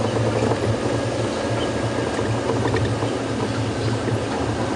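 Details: Steady rumble of a safari vehicle mixed with broad flowing-water-like noise at sunset, with no animal voice standing out.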